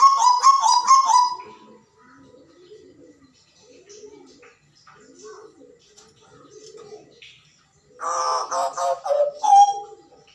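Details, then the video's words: Hooded butcherbird giving loud, rich, ringing calls that wobble in pitch at the start. A stretch of quiet, low murmuring sounds follows, then another burst of strong, harsh-edged ringing notes ending in a clear whistle. "Burung JAGAL PAPUA Gacor Beraksi dengan Suara Khasnya"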